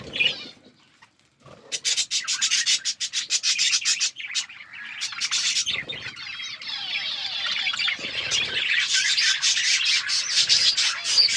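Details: Outdoor aviary of budgies, called wild budgies: near silence with a few clicks, then a sudden burst of rapid high chirping that builds into a steady, dense chorus of warbling and chattering.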